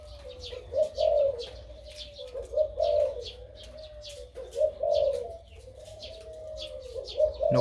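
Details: Crossbred dove, nearly one year old, known for a big daytime voice, delivering repeated 2-3 kuk coo phrases: low, throaty and steady, about four bursts over seven seconds, small birds chirping faintly.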